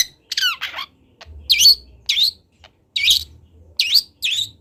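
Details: Juvenile long-tailed shrike, local bird from Kendal, practising its song for a training recording: separated harsh notes, several with a sweeping downward-bending whistle, and rasping buzzes spaced roughly half a second apart.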